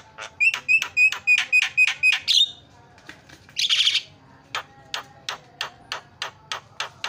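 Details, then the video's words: Javan myna training song with filler phrases to trigger other mynas calling: about eight quick ringing clicked notes, a loud harsh rasp, then a slower series of sharp clicks roughly every half second. "KICAUAN JALAK SUPER MANTAP"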